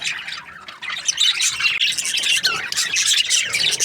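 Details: Happy budgerigars chirping together in a dense, continuous chatter of high, scratchy warbles and squeaky notes, with several birds overlapping throughout.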